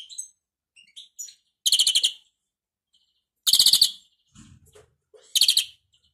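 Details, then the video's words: European greenfinch (Carduelis chloris), described as a faulty, stuttering singer with a bad song, gives short, rapid, buzzy trills about half a second long, roughly every two seconds, with faint thin chirps between. "Flurya Kuşu ötümü 978 - Hatalı Kuş (Bad sound)"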